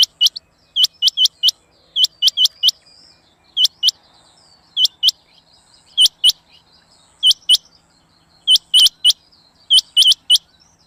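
Rain Quail giving sharp, high, clipped notes in quick pairs and triplets, each burst repeated every second or so against a quiet background.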